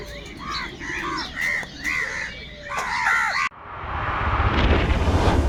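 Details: Crows fighting for food give a run of loud, rasping, arched caws, about four each second and unevenly spaced. The calls stop abruptly and give way to rising wind-like rushing noise.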